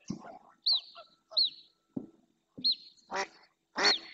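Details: In the Doñana National Park marsh, Spain, a female mallard calls insistently, then another female and two males approach; thin, high whistled notes rise then fall, well under a second apart, with two loud harsh quacks near the end.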